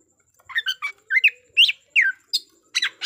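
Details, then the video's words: Oriental magpie-robin bait song for goading rivals into combat, a quick series of short scratchy chattering notes, about eight in three seconds, each slurring downward. "pancingan kacer gacor tarung menaikan emosi kacer lawan"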